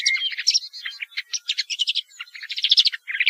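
A woodchat shrike's rapid, scratchy warbling song of mixed chirps, trills and whistled notes, high-pitched and continuous with brief pauses.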